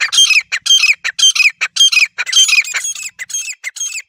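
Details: Grey francolin, the wild desi teetar, in a natural setting, the call used for hunting: loud, scratchy, high-pitched notes delivered in quick repeated phrases of two to three per second.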